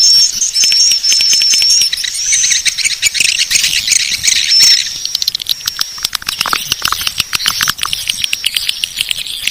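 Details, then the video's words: Swiftlets calling in a track used to attract them: squeaky, high wavering whistles over a thick bed of buzzing chatter, thinning into rapid ticking clicks later on. "Suara Panggil Walet Bangkit 18"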